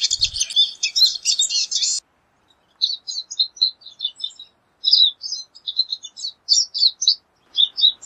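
Pine siskin singing a rambling, high twittering song of buzzy trills and quick chirps, broken by short pauses; a brief low thump opens it.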